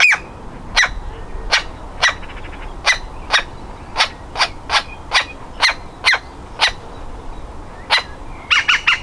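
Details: Young woodpecker about to fledge, calling from inside its nest hole: crisp, sharp notes repeated steadily about twice a second, ending in a rapid cluster of calls.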